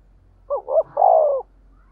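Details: Single spotted dove decoy coo, fast 'thúc gù' style in a 'thổ đồng' voice: a quick broken double note followed by a longer, steady, hoarse coo, with a faint low hum beneath.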